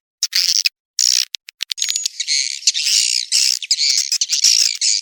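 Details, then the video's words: Swiftlet lure sound mixed from proven calls: scattered short buzzy bursts and clicks lead into a sustained, dense, shrill twitter. "Suara panggil walet"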